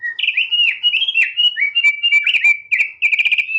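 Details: A tame Thick-billed White-eye (Heleia crassirostris) in full song gives a fast, continuous warble of sweet, high whistled notes. The notes slur up and down with quick chattering trills and no pauses.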